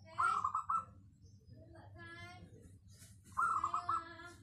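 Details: Zebra dove of local stock, its crisp, dense voice suited for luring, uttering two bursts of fast stuttering coos separated by a pause filled with a faint voice and low hum.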